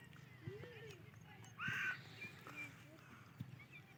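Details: Single harsh, shrill note from a female grey francolin (Teeter Madi), a call used with mate and chicks. It stands out from a droning background with clicks and a faint voice.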